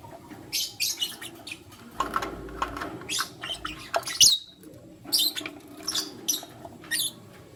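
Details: Morning chirping of lutino lovebirds, a male choosing between two females: high, scratchy chirps in quick clusters, a brief rising squeak midway, and short pauses between bursts.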